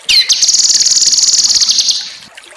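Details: Cucak kinoi singing in a master recording meant for other birds to copy: a quick downward sweep opens one dense, buzzy, rapidly pulsing high trill lasting about two seconds, then fading.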